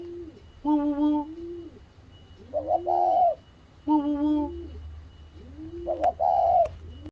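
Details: Spotted dove vocalising after catching sight of its mate: steady low harmonic coos alternate with higher, grating, buzzy notes, giving about four phrases in a roughly repeating pattern, with faint low hum behind.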